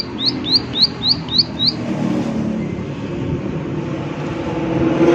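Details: Prinia 'klik klik' call recorded outdoors: six quick, high, falling click notes in under two seconds, followed by silence from the bird as the rumble of a passing vehicle builds.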